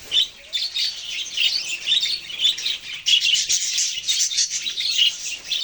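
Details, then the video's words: Budgerigar chirping: continuous high, buzzy warbling chatter with squeaky notes, swelling and easing in loudness throughout. "parrot chirping sounds"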